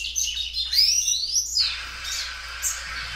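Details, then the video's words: Well-kept Belgian canary, a loud singer that stretches its song several times, opening with a sweeping whistled rising phrase then softer high rattling notes, low hum beneath. "canário belga dobrando o canto."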